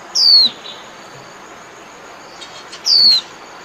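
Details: White-eye calling the flock gives two high, thin, downslurred whistles about two and a half seconds apart, with faint soft ticks between them against a quiet background.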